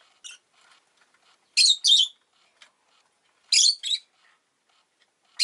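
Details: Pet rosy-faced lovebird near its new egg, uttering paired harsh chirps, two quick notes per burst, the pairs about two seconds apart, with a faint call at the start.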